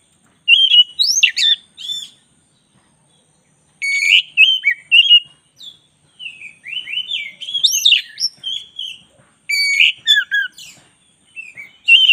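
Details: Black-breasted oriental magpie-robin in a training recording for songbirds, singing nonstop. Dense bursts of loud whistles, sharp upslurs and scratchy chatter are separated by brief pauses.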